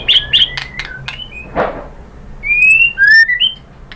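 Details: A white-rumped shama's song, used as a lure for other birds, mixes quick chattering notes with smooth level whistles and a rising, sliding phrase near the end, over a soft thump.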